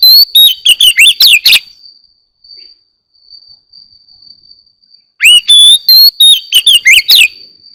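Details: Oriental magpie-robin in the morning, two bursts of rapid high whistles and chips separated by a quiet pause, with a faint steady high tone running through the background.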